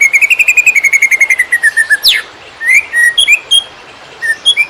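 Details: Greater green leafbird singing konslet style as a master for training wild-caught birds: a rapid run of whistled notes slowly falling, one sharp downward sweep, then separate varied upslurred whistles.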